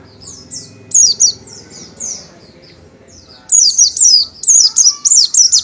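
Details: Oriental white-eye (Zosterops palpebrosus) singing high, thin, rapidly repeated twittering notes in quick bursts over a faint low background murmur.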